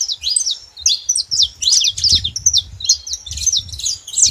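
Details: Saffron finch singing free in the wild: a fast, high string of sharp chirps and short slurred notes, tumbling without pause, with faint low rumbling underneath.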